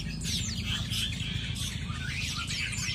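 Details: Long-tailed shrike sunbathing in the morning, giving quick, thin, high chirps and short sweeping whistles in a loose, uneven stream over a steady low hum.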